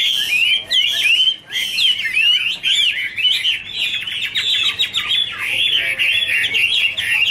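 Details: Two Chinese hwameis duetting and dancing with wing flicks, pouring out a continuous rich warble of fast, tumbling whistled phrases, sweet slurred notes running together almost without pause.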